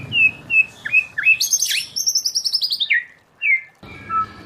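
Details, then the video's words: Wild-style song of a white-rumped shama used for training: short whistled notes, then a fast descending series of bright repeated trills, a pause, and further clear whistles. "Luyện choè lửa hót giọng rừng hay, luyện giọng choè lửa hay không quảng cáo"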